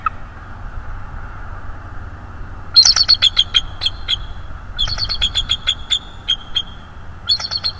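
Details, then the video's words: Quiet opening, then a young bald eagle, between three and four years old, visiting a nest in December 2022, delivers strings of rapid, high, metallic chittering notes in three separated bursts. "The beautiful sub adult with haunting vocals"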